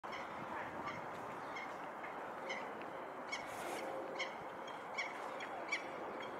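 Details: Female peregrine falcon perched on the Knightsbridge barracks, calling to her mate as she spots him approaching. Short, sharp, high notes repeat roughly every second over a constant heavy roar of city traffic.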